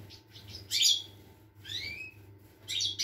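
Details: European goldfinch singing, recorded 25 August 2021: a short sharp twittering burst, then a clear rising whistled slur, then another tinkling fragment, with a constant low hum underneath.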